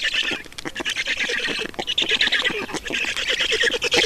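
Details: At an Estonian Black stork nest during feeding, grating, nasal squawks pour out in rapid uneven pulses, pausing briefly twice before resuming.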